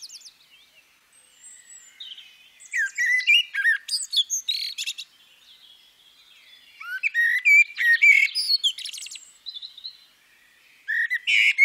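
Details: Common blackbird, female, singing several phrases over about twelve seconds. Soft low whistles run into sequences of sliding flute notes mixed with high, thin squeaks and twitters, each separated by a short pause. Quiet surroundings.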